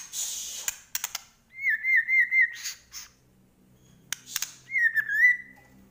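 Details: White-rumped shama from Medan in full song with mimicked fill-in phrases: two bouts of quick, warbled whistles at a steady mid pitch, separated by pauses, with sharp clicks, a hissy burst and faint low hum between.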